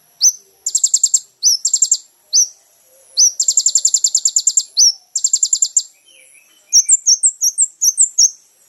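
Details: Kolibri ninja singing on a training recording for caged birds. Very high trilled bursts of rapid pulses are separated by sharp upswept chips, ending in a tumbling series of varied high twittering notes.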